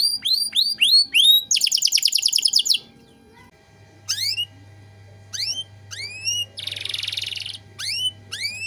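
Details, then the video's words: Canary 'cengkok mewah' tutor song: sweeping chirps and a fast rattle, a short quiet gap with a low hum, then spaced rising whistles and a buzzy trill. "Masteran Kenari Gacor Cengkok Mewah"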